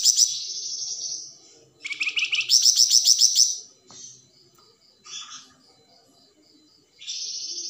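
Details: Plamboyan bird singing, its song used to train magpie-robins: high sustained trill, then rapid loud chattering bursts, quick repeated whistled notes, pauses, and a final high buzzy trill.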